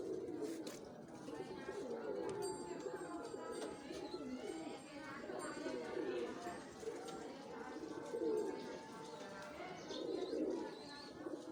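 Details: Steady low cooing from a domestic pigeon pair, rolling phrases repeated roughly every two seconds, with faint voices and thin high tones in the background.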